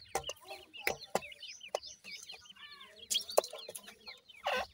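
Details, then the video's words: A group of young grey francolins, referred to as Irani teetar chicks, produce rapid descending cheeps, some arched and repeated quickly. Loud tapping bursts interrupt the chorus. "teetar kay bachy ki awaz,Irani Teetar ka bachay"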